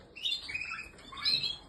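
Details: Canary, possibly a Spanish Timbrado, red Malinois or Portuguese Harlequin, giving two short bursts of bright chirping warbled notes that slide downward, with a brief pause between them.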